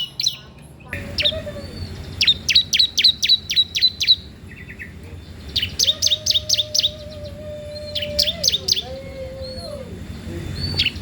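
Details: Bar-winged prinia singing steadily, used as a lure or master for training young prinias: rhythmic strings of crisp, high chirps in separate bursts, with a long, level, lower whistled tone running beneath them.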